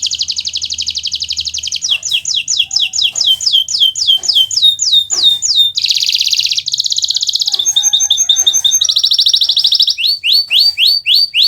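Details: Gacor-style song of a Kenari Nusantara canary, meant for tutoring other birds: unbroken high rapid trills changing every second or two, from dense buzzy rolls to quick repeated down-slurred sweeps, loud and continuous throughout.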